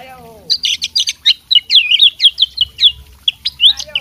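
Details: A fighting magpie-robin pours out a rapid stream of sharp, clear whistled notes and chirps, high-pitched and varied, close and loud throughout.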